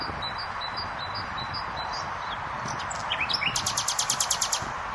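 Common nightingale song: soft high notes, then quick rising whistles and a fast, loud rattling burst of about ten repeated notes, over steady background hiss.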